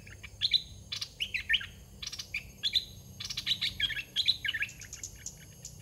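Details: A caged decoy red-whiskered bulbul gives short chirpy, liquid phrases of three or four notes roughly every second, mixed with sharp clicking and buzzy bursts in the background.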